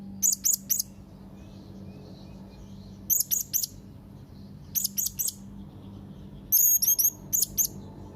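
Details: High, piercing chirps from a young blue-crowned hanging parrot calling rivals, given in tight clusters of three or four with pauses between. One later burst has longer, drawn-out whistled notes. A faint low hum runs throughout.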